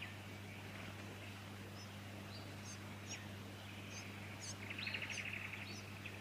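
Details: Fuscous honeyeater in Victoria, Australia, September 2019: scattered short high chirps and sharp downslurred notes, then a rapid buzzy trill near the end, over a steady low hum.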